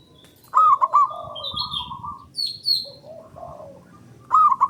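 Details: Loud local zebra dove, used as a lure to get other doves singing. A bubbling coo burst opens into a long level note, then lower soft notes, another burst at the end, and high sliding chirps from other birds.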